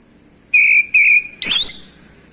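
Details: Male orange-headed thrush song used to provoke quiet birds into singing: two flat, even whistled notes, then a rich rising slurred phrase, with a constant high-pitched whine in the background.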